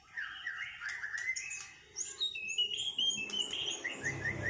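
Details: Newly moulted white-rumped shama in a song duel, delivering quick slurred whistles that climb into higher, chattering notes, the phrases tumbling together without pause.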